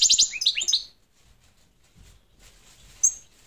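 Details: European goldfinch of the parva form gives a quick burst of bright, high twittering notes in the first second, then near-silence with a faint low rumble and one short high note near the end.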